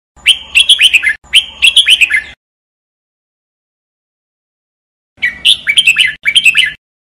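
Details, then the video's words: Red-whiskered bulbul song for singing training: two quick bright phrases of about six warbled, whistled notes, falling toward the end, then near three seconds of silence before the same paired phrases return; nothing else heard. "Red Whikered Bulbul Jambul bulbul SINGING training"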